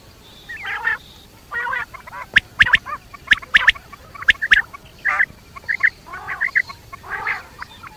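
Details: Night-time quail: gravelly, nasal bursts mixed with crisp clicks, coming irregularly about once a second.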